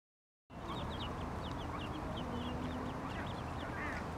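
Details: Ducklings following their mother duck at Iffley Lock on the River Thames, Oxford, squeaking in a rapid, irregular stream of short high peeps over a steady low hum.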